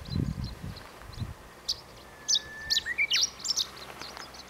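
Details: Chestnut-eared bunting in song on the Kirigamine highland, giving a scratchy burst of high, clipped chips across two seconds, while a Japanese bush warbler's long, steady rising whistle runs underneath; low rumbling noise at the very start.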